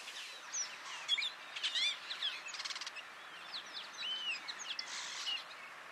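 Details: Austral thrush (Turdus falcklandii magellanicus) at Estancia Cristina, Argentina, March 2022, giving high, varied whistled notes with sliding upslurs, mixed with brief buzzy and rattling bursts, over a faint hiss.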